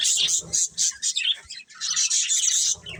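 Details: Colourful budgies give high twittering chirps in quick bursts, pausing briefly near the middle before a longer run of bright chatter; faint low thuds sit under the first half.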